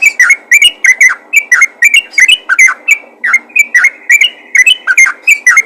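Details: Very vocal yellow-vented bulbul summoning other bulbuls, giving loud, evenly spaced chirps, each a sharp bubbly note with ringing overtones, repeated about three times a second.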